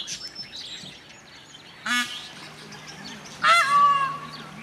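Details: An Indian peafowl (Pavo cristatus) at Bayreuth Tierpark in winter gives two loud, nasal, trumpeting calls about a second and a half apart, the second sliding into a held wail over a faint hiss.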